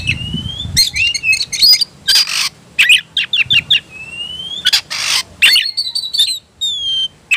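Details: Agitated Oriental magpie-robin in fighting mode, 'ngobra' style: long clear whistles alternate with bursts of harsh, buzzy notes and rapid chatters, separated by short pauses; some low background noise at the start.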